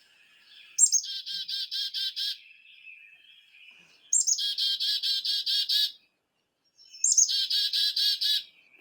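Black-capped Chickadee giving three chick-a-dee calls: a high sharp opening note followed by a run of five or six buzzy, harsh dee notes, repeated every three seconds.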